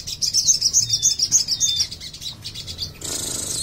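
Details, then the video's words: Caged sogon songbird given a courage test while alone; it gives a fast run of high, thin chirps and twitters, about three or four notes a second, a rough twittering (ngriwik) rather than full song, then fades with brief rustling. "sogon berani gacor apa griwik saja"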